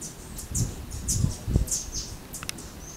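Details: A violet-capped hummingbird (Goldmania violiceps) gives thin, very high chips, about five in three seconds at an uneven pace, over low rumbling and knocking noise.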